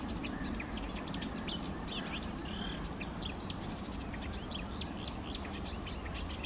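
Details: A Eurasian reed warbler at lakes on a morning of 28 May 2024 chatters in a steady, unbroken run of short, scratchy, repeated notes over a constant low rumble of wind.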